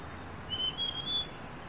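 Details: Niltava in the wild at dawn, forest setting: one long, thin, high whistle slightly rising over about three quarters of a second, swelling in three soft pulses above a steady low rumble.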